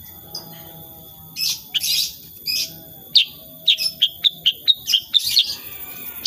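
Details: Sooty-headed bulbul in active 'tembakan' style song, unedited: a few rough buzzy bursts followed by a quickening series of sharp, clipped high chips.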